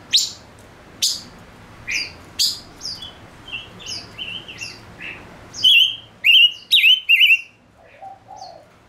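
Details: A male Gouldian finch kept as a lure bird sings sharp high chips, then a rapid series of louder wavering whistles. The phrase ends in soft low notes.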